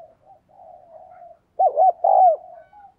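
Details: Lure spotted dove meant to excite males. Soft, steady low cooing at first, then one strong phrase: two quick bubbling coos and a drawn-out falling coo, then a faint coo.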